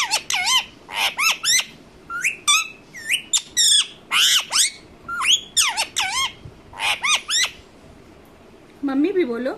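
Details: Pet Indian ringneck parakeet kept indoors, giving short, sharp squawks and rising-falling screechy notes in irregular bursts of two or three. After a quiet gap, a woman's voice speaks at the end.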